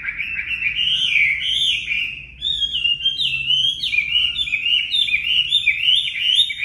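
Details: Song of a Chinese hwamei kept for training cage birds: rich, warbling whistles that start as flowing, wavering phrases and then break into quicker, sharply rising and falling notes.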